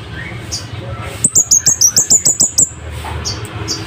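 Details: Scarlet-headed flowerpecker, kept as a tutor bird for training other songbirds, in loud, sharp wild-style song: a rapid run of about ten very high, thin, clipped notes lasting about 1.5 seconds against a quiet background.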